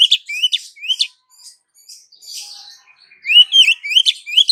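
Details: Calling female Oriental magpie-robin trying to attract a male: rising whistles and sharp vertical chips at first, softer scratchy notes in the middle, then a loud rapid string of clear upslurred whistles.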